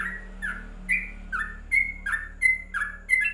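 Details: Covered-cage yellow-vented bulbul sings sharp slurred whistles in quick succession, some notes rising, others dropping, over a constant low electrical hum.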